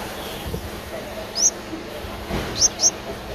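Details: Streak-eared Bulbul nestling, 11 days old, in Ubon Ratchathani, Thailand, on 13 April 2023. Three short, very high, sharp chirps, one alone and then a close pair, over a soft low rumble of background noise.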